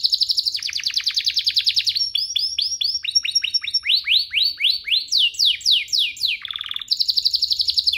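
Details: Canary song meant to excite other canaries into singing, made of distinct tours: a fast rolling trill, a series of upward-sweeping chirps about two per second, a buzzy burst, then the rapid trill again.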